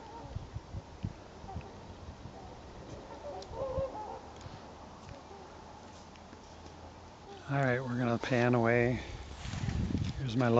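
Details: Trumpeter swans, part of a migrating flock of a couple hundred resting on Garfield Lake while heading south on a calm day; after a quiet start with faint distant noises, a burst of loud, nasal, harmonic honks rises and falls near the end.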